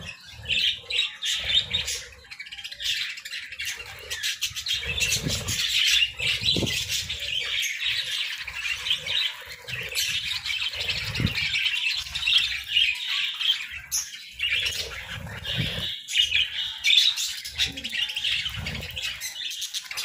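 Budgerigars chatter in a steady stream of high, scratchy chirps and warbles, with soft low thumps underneath.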